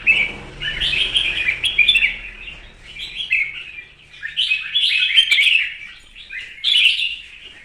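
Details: Competition and morning singing from a red-whiskered bulbul: spirited, warbling whistled phrases repeated in loose bursts, some sharper and higher toward the end.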